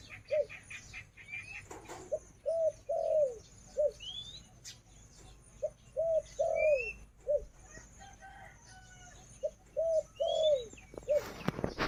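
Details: A captive breeding-hen Spotted Dove (Spilopelia chinensis) kept as a decoy bird at home gives soft, low hooting coos in phrases of three to five notes, repeated every few seconds, with thin whistles from other birds behind.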